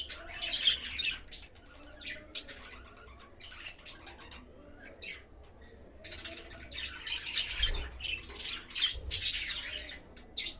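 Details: Black-winged budgerigars, a rare colour variety, chatter with rapid, scratchy squawks and chirps, several birds calling over one another.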